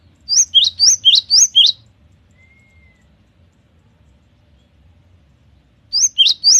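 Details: Cinereous tit song, lively and varied: a rapid series of about five paired upswept whistles, then a long quiet pause with a soft faint whistle, and the same quick repeated phrase returning.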